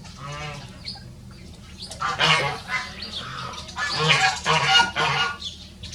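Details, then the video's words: Two Rosecomb bantam roosters, free-ranging show birds of one of the smallest breeds, crow in turn with shrill, harsh, high-pitched bursts overlapping across a few seconds, with quieter clucking between them; chicken. "The Smallest Breed of Rooster Crowing Duet"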